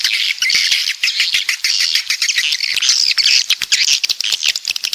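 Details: A continuous high twittering of coastal swiftlets from the south: layered squeaky chirps and short trills, punctuated by crisp clicks.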